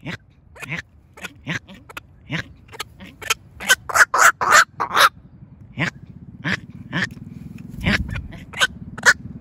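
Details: Black-crowned night heron decoy calling the flock: irregular hoarse croaks that build into a dense cluster of loud raspy calls midway, then thin out again, with a low hum underneath.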